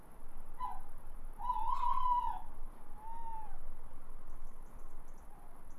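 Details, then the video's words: Tawny owl sitting on a house roof and calling, spotted after being heard, often too dark to film. A short hollow hoot comes first, then a long, loud, steady hoot, then a softer drawn-out note, over a low steady background hum. "Tawny owl is calling on the roof / Waldkauz auf dem Dach ruft"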